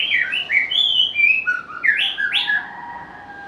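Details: Varied song of a white-rumped shama, a species able to mimic other birds: rapid rich whistles jumping between high and middle pitches, with swooping rising notes, then a long, steady, fading tone.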